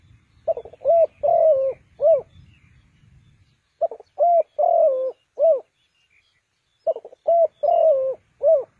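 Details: Decoy spotted dove from Ninh Thuận, kept to lure birds into a trap. It repeats a phrase of four or five low mellow coos three times, with a pause of about two seconds between phrases. Faint rustling is heard at the start.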